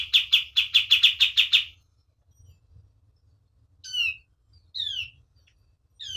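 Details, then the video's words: Caged white-eye singing: a rapid trill of about nine high, sharp notes, then quiet, followed by a few separate descending whistled notes. "KAPAS TEMBAK GACOR DOR"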